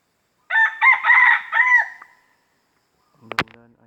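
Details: Red junglefowl in an industrial plantation forest in Riau, Indonesia, crowing to claim its territory. A single choppy four-part crow ends in a trailing note. After a pause comes a sharp click and a low hum.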